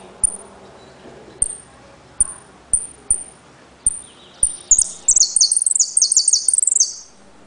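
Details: Caged saffron finch (jilguero) from Trenque Lauquen singing in the repique, golpe and pitadas style: thin, very high descending whistled notes spaced under a second apart, then a fast, dense burst of sharp high trilled phrases in the closing seconds.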